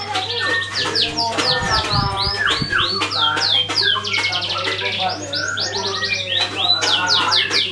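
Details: Canary song used as a lure to get other birds singing: a dense, continuous run of fast trills and sweeping high whistled notes, syllables rapidly repeated, over a steady low hum.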